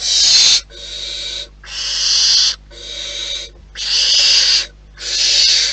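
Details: At a barn owl nest in the wild, six long, breathy hissing screeches follow one another about a second apart, each a flat, rasping burst of noise-like sound with quiet pauses between.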